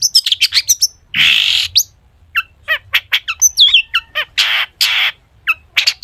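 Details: A long-tailed shrike sings a full-isian song meant to draw song from other shrikes: quick high chips, harsh buzzy rasps, a warbled high whistle and downward slurs alternating in a busy, varied stream.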